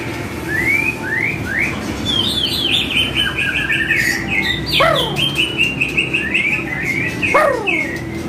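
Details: White-rumped shama training song used to make other shamas answer: rising slurred whistles, then rich warbled phrases with steep downward sweeps and rapid chattering notes, over a steady low hum.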